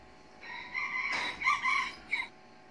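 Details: Young 8-month-old red junglefowl decoy rooster, still timid and in training after four trips to the forest, weighing about 800 g, crows once: a rough, multi-part crow in broken segments lasting almost two seconds, ending in a short clipped final note.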